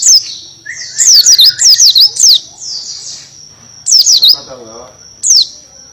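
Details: Buxton's white-eye singing tembakan, in canary style. There are loud volleys of sharp descending whistles, a short buzzy phrase, then two shorter bursts, with faint voices in the background.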